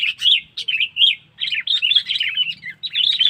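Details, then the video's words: Sooty-headed bulbul lure call meant to pull in wild birds, a nearly unbroken chatter of loud, lively, warbling chirps with only tiny gaps between phrases. "Suara Burung Kutilang Pikat Cengkeram"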